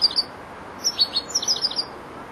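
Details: Four-month-old European goldfinch, a young bird beginning to finish its song phrases, giving a few high chirps then a run of rapid tinkling notes.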